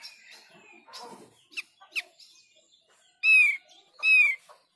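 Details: Thick-billed white-eye sound meant to draw replies from others of its kind: scattered soft chirps and clicks, then two strong, clean whistled notes, gently falling, spaced under a second apart.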